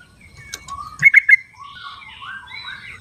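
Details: Yellow-vented bulbul in the wild giving a short, quick trio of bubbly notes, followed by softer slurred whistles from other birds in quiet natural surroundings.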